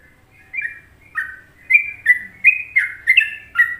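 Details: Trucukan-style song of a sooty-headed bulbul from Indonesia: a fast string of rich whistled notes, alternating higher and lower pitches, building in loudness after a brief quiet start.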